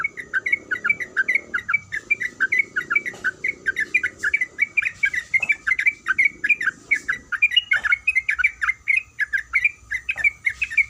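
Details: Calling female sooty-headed bulbul, in breeding condition, summoning the male: fast, chattering series of sharp chirps in lively up-and-down pattern, sustained throughout, with a soft low rumble early on.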